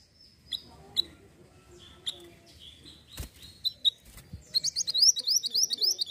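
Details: Hill blue flycatcher calls played to lure birds. Scattered high thin chirps and short notes, then a quick run of bright, evenly repeated rising-falling whistled notes near the end.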